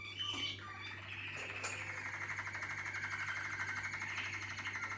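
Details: Softer song from a team of Waterslager canaries: a few brief notes and clicks at the start, then a continuous, rapidly pulsing rolling trill at one steady pitch.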